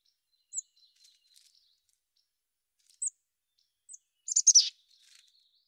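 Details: Mountain chickadee with single high, clipped chirps a second or two apart, then a fast tumbling series of sharp notes ending in a lower, buzzy slur.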